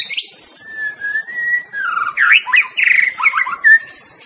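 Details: White-rumped shama in the wild giving a long level whistle that dips slightly, followed by a tumbling run of rich warbled and chattering notes and a final clear note, over insect hiss.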